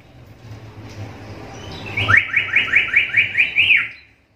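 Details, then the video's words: Black-capped lory, a call noted as unusual among lories and suited to training songbirds: after a low background hum, about eight quick rising whistled sweeps, then a falling slur. "Suara panggilan burung nuri kepala hitam ini jarang dimiliki nuri lain"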